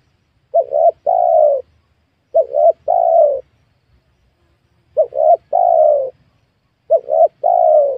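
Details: Spotted dove in a young oil palm plantation where wild doves are being lured: four mellow cooing phrases, each two quick short coos followed by a longer drawn-out coo, spaced about two seconds apart.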